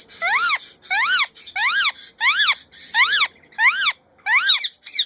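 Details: A hand-tame female rose-ringed parakeet gives loud, harsh, arched notes that rise then fall, repeated about every three-quarters of a second, with no other sounds.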